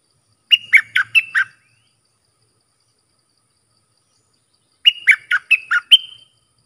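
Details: Bulbul song for teaching young and hand-reared birds and for luring aggressive wild birds: two bursts of five quick, bright, warbling notes about four seconds apart, the last note of the second burst a drawn-out whistle, otherwise silent.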